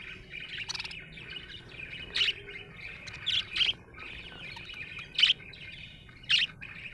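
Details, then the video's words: A happy budgerigar warbles quietly, punctuated by loud, sharp chirps roughly once a second in the second half, over a faint hum. "Happy budgie chirping sound"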